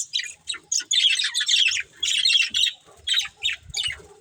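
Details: A breeding pair of budgies chatters in quick, scratchy high chirps and short squawky phrases, bursts repeating about every half second with faint low knocks underneath.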